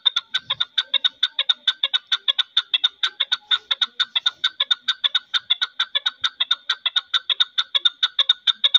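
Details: Kept chukar partridges, one newly acquired and one older bird, giving a long call: a fast run of sharp, clipped chak notes repeated at a steady clip of several per second without a break.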